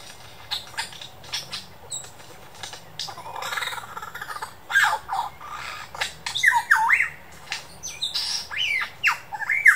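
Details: At the Dandenong Ranges Botanic Gardens a superb lyrebird mixes mimicked birdcalls with sound imitations: rhythmic clicking and snapping, a noisy rushing passage, then quick looping whistled notes and sharp cracks.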